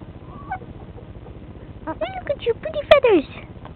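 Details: Two pet chickens hanging out by their coop, with soft, short, tonal calls, several rising and falling slurred notes clustered near the end, over a steady low background hum.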